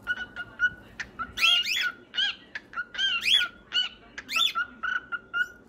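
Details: Pet cockatiels singing, one of several birds with its own repertoire: clear whistled notes with wavering, rising and falling phrases, bursts of chattering syllables between steady tones, irregular rhythm, indoors with no other sounds.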